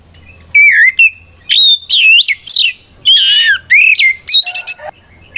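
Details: A kacer, or Oriental magpie-robin, in loud ngeplong challenging song, meant to provoke rivals into replying: powerful rising and falling whistles mixed with buzzy, rich phrases in short bursts, with a faint low hum beneath.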